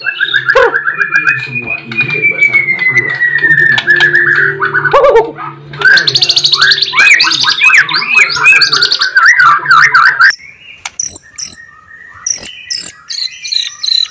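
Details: White-rumped shama song intended to make other shamas reply and show off their repertoire: a long sliding whistle, then dense fast chattering and mimicked phrases over a low hum, ending in sparse high ticking notes.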